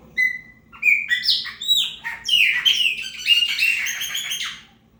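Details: Chopi blackbird, or preta fumaça, singing to mark territory: a short whistled note, then a rich, fast-flowing song of warbled, whistled and chattering phrases lasting about four seconds, with a low background hum.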